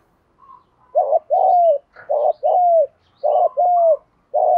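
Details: Spotted dove cooing, used to train and provoke decoy birds into calling; paired hollow coos, a short note then a longer falling one, repeated in three rounds over a quiet background.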